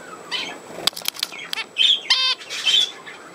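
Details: Budgerigars playing on 27 August 2024: sharp flutters and clicks of wings mixed with a few short, nasal, buzzy squawks and thin high chirps, scattered irregularly through the brief recording.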